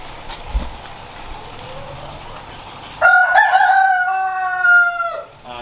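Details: A rooster in the outdoor poultry section of a pet centre, kept with guineafowl and various chickens, gives a loud, drawn-out crow of rich harmonic tones after a few seconds of quiet background hum.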